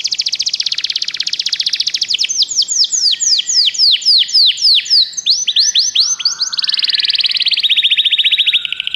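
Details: Canary song played to stimulate a pet canary to sing: rapid trills of repeated downswept high notes, shifting between tours, with a buzzy roll at the start and a steady fast trill near the end.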